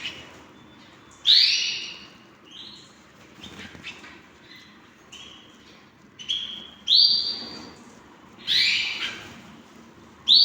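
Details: Hand-tamed pet canaries produce a series of sharp upslurred whistled chirps, spaced irregularly a second or more apart, with softer thin tones and faint rustling in between.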